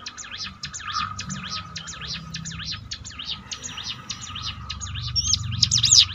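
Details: Softer, more distant bar-winged prinia song: a long even chain of quick zigzag notes, closing with a brighter, louder phrase, with faint low background rumble. Used to train a bird's courage.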